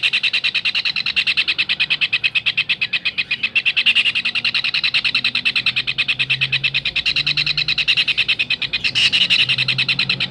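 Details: Kingfisher tutor recording for songbirds: an unbroken string of piercing, harsh notes at roughly three per second, a few briefly louder and more strident, with a soft low hum in the background.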